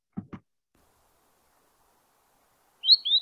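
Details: Spotted Sandpiper, a spring migrant shorebird of Missouri wetlands, gives a quick pair of high, thin whistled notes that descend in pitch, peet-weet, after two soft low thumps.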